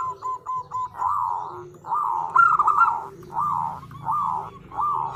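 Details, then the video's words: Female zebra dove calling a male, the call used as a lure: several short whistled notes, then longer rolling, bubbly coo phrases repeated about every second over a low background hum. "Suara Perkutut Betina Memanggil Jantan"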